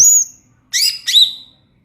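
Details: Brief ngeplong-style song fragment from a greater green leafbird: a high thin whistle, a short silence, then two bright descending whistled notes.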